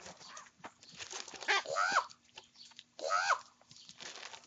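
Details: Two loud, rasping, downward-bending croaks about a second and a half apart from young common ravens squabbling over food during breakfast, with pecking and scraping between them.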